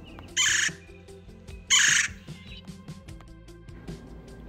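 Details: Red-bellied woodpecker in Minnesota, which visits oranges put out each spring, giving two loud, harsh rolling churr notes about a second apart, over soft background music.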